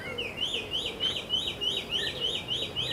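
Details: Taiwan hwamei at Caonanpo, Taiwan, 10 October 2013, giving clear, looping whistled notes, each rising then dipping, repeated about three times a second over a faint background hush.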